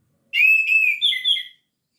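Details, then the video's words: Richly whistled phrase from an orange-headed thrush singing 'gacor teler' with full repertoire: a wavering clear whistle, then two brief higher notes dropping slightly, all within little more than a second, in silence. "Anis Merah Gacor Teler full materi"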